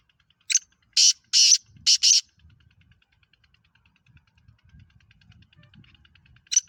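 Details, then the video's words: Pakistani black francolin (Kala Teetar), a hobby bird, delivers a short sharp note and then four harsh rasping bursts within about two seconds. Quiet low rumbles follow, and a new call begins at the end. "Kala Teetar Pakistan fastest black Franclion"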